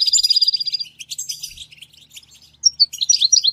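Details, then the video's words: A goldfinch in natural surroundings gives a brief, high, level trill followed by scattered twittering, a short pause, then a few clear downslurred whistled notes. "soothing nature sounds of the Goldfinch"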